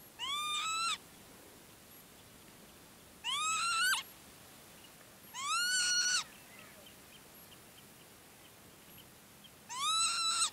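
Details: Northern Lapwing (Vanellus vanellus) on a raised, levelled patch of land at Herdla Bird Preserve, Norway, giving four wheezy, upslurred 'pee-wit' calls about three seconds apart over a faint steady hiss.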